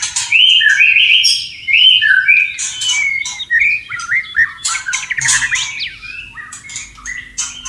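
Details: White-rumped shama in the wild, recorded with running water nearby, pouring out loud fluty whistled phrases followed by quicker slurred notes and sharp chips, varied and nearly unbroken.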